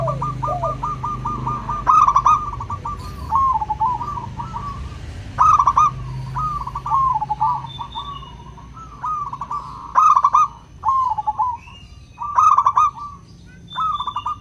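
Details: Local zebra dove with a clear 'crystal' voice, used to prompt reluctant doves to sing: bursts of rapid, bubbling staccato coos, each phrase ending in a trill, repeated every second or two, with faint overlapping cooing between bursts.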